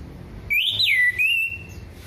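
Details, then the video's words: An orange-headed thrush singing in a relaxed way gives one clear, high whistled phrase, a quick rise and dip and then a steady held note, over a faint low hum. "Anis merah gembling ngeplong santai"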